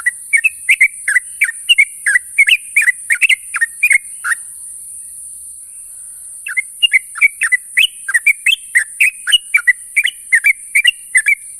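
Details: Sooty-headed bulbul calling to companions at morning: a rapid string of short, bright, wavering chirps for four seconds, a two-second gap, then another long run of the same notes, steady hiss underneath.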